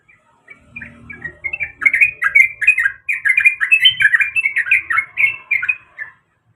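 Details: Female yellow-vented bulbul in breeding condition calling the male: a continuous bubbling run of quick, chattering, warbled notes for about five seconds, loud and rapid, with faint low rumbling beneath.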